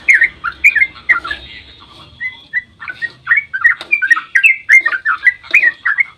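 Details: Dawn song of a sooty-headed bulbul, played to stir other bulbuls to respond: bubbly, warbled phrases of rising and dipping whistled notes in a quick uneven stream, with a brief lull after the opening notes.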